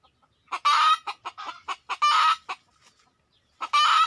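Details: Red junglefowl calling loudly at a decoy hunting site: a long harsh burst, then a string of short clucks, another drawn-out raspy note, and a final burst after a brief quiet gap.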